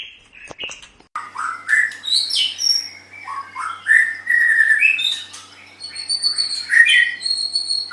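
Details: Continuous song of a kept white-rumped shama used to train pet songbirds: varied fluid whistles sliding up and down, rapid warbles and high thin ringing notes, a few sharp clicks at the start, steady faint background hum.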